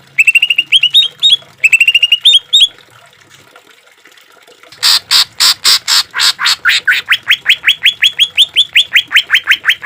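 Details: Green leafbird song, a training and therapy recording for caged birds mixed with trickling water, full of harsh 'shot' notes: short trilled phrases, a pause, then loud broadband rasping bursts leading into a fast series of rising whistled upslurs.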